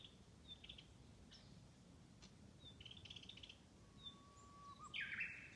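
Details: Wild birds singing in spring along a forest road in Tanzawa: faint high chirps and short trills scattered through, a steady low whistle near the end, then a louder burst of rapid high notes over a quiet hiss.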